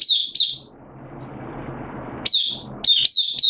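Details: Oriental white-eye kept in a cage as a hobby bird, 8 September 2022, form slightly down: two high chirps, a pause filled with low hiss, then a quick cluster of high slurred notes.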